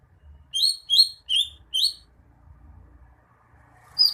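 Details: Four loud, high, slurred chirps from a greater green leafbird, evenly spaced about every half second, then a pause and the start of another note, over soft low background rumble.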